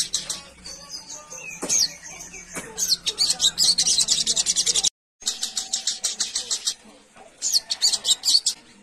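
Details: Sooty-headed bulbul, wild-style, calling to companions with bright, chattering bursts of quick high notes in rapid runs, a brief break mid-way, and a faint low hum behind.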